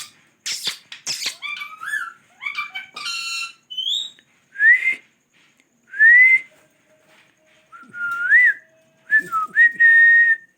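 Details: Parrot switching between voices: harsh noisy squawks, buzzy harmonic chatter, a high squeaky note, then several rising and level clear whistles. Quiet indoor background with a faint low hum.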